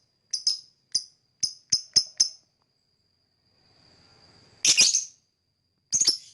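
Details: Lovebird chirping, offered as a bird whistle training sound: six sharp, harsh chirps in quick succession, then a faint steady high tone and two louder rasping bursts.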